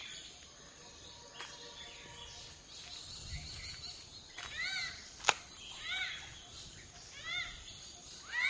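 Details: Malabar grey hornbill (Ocyceros griseus), endemic to Western Ghats forests of southern India, gives its cackling call: short, harsh, arching squawks in small bursts a few seconds apart over a steady insect hiss and one sharp click.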